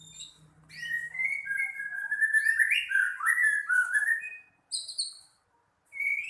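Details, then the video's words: White-rumped shama singing vigorously: a flowing run of loud, clear slurred whistles that rise and fall through varied phrases, then a brief pause before more high whistled notes resume. "murai gacor dokor"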